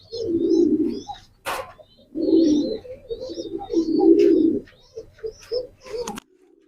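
Pigeons give deep, throaty rolling coos in three long bursts, with softer coos and a few faint chirps in between.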